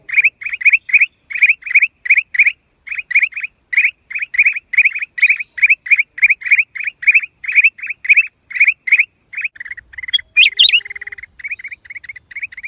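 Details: Black-crested bulbul giving long, even series of quick upslurred chirps, about three per second, briefly softening into quieter chatter with one higher squeal near the end; clean and close.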